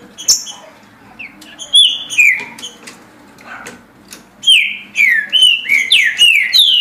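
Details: Green-winged saltator delivering its song at a pace of 17 songs per minute: loud, slurred whistled phrases sweeping downward, given in quick bursts with short pauses between, accompanied by scattered clicks and soft low background hum.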